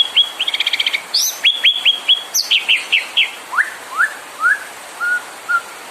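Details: White-rumped shama (murai batu) in a provoking song meant to quickly agitate other birds: a fast stuttering burst, crisp downslurred whistles, then spaced single rising and falling whistles slowing toward the end.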